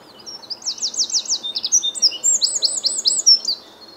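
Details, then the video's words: Eurasian wren singing on a chilly morning with visible breath, Reading, UK, 9 April 2022: a loud, very high, rapid burst of sweeping notes and rattling trills lasting about three seconds over faint hiss. "Wren singing"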